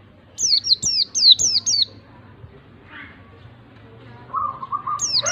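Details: White-eye song played to provoke a reluctant bird to sing: five quick high descending whistles, a quiet gap, then a low flat trill leading into more falling notes.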